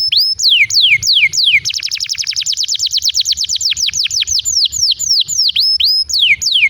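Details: Prolonged canary song played as a prompt for young canaries and silent birds; swooping downward whistles lead into a fast rolling series of clipped notes, then separate descending swoops again, with faint low hum underneath.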